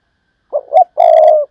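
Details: Close, loud Thúc Lợi Cốt call of a spotted dove used as a decoy: a short note, a rising second note, then a long, steady, slightly falling coo.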